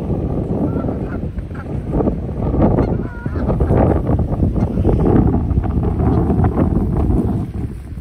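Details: Geese fighting at a park give harsh honks, mostly buried in heavy low rumbling noise. A few brief tonal honks stand out midway, and a steadier nasal tone runs through the later part.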